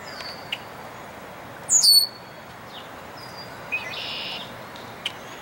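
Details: Male red-winged blackbird at Dufferin Islands, April 23, 2021, gives a brief, thin, high whistle that slurs downward, then goes quiet; a faint hiss and a few soft clicks follow in a still outdoor setting.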